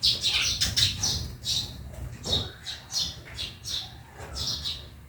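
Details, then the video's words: Backyard sparrow chattering: rapid, high chirps tumbling close together at first, then spaced out, over a low drone. "Honi ng maya sa bakuran/Relaxing sounds of sparrow"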